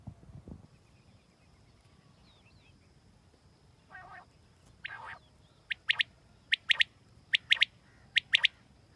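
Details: Quail calling: two raspy, buzzy notes, then a run of sharp, high chirps in quick pairs and triplets during the last few seconds. Low background hiss throughout.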